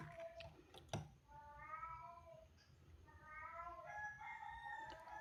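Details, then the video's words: Rooster crowing on a cool morning, heard faintly at a distance: two long, steady harmonic crows over a constant low hum, with a sharp knock near the start. "Pagi yang sejuk di temani merdunya suara ayam berkokok"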